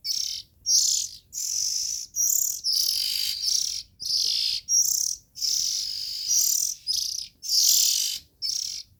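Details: Young Oriental magpie-robin giving a rapid series of about eleven harsh, noisy, high-pitched squeals, closely spaced and fairly uniform in loudness.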